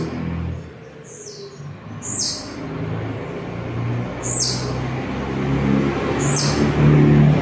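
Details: Blue-black grassquit singing a short, very high, buzzy downslurred phrase repeated four times about every two seconds, over a steady low rumble of background noise.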